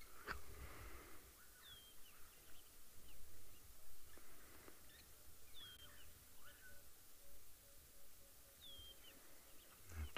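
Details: A distant emerald-spotted wood dove gives its sad-sounding call of soft, low, mournful, evenly spaced hoots during a Friday afternoon sunset safari drive at a waterhole, 13 Jan 2023; other birds whistle nearby over a low rumble.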